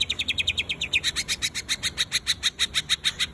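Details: Greater green leafbird (cucak ijo) singing light rapid 'tembakan' bursts: fast, evenly spaced high chips, about three per second, each a short sharp descending note, in a steady stuttering series over faint low background hum.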